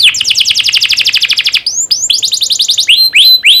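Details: Canary song used as a training recording to get young canaries singing well: a dense rapid trill of short repeated notes, then a mix of rising and falling whistled slurs.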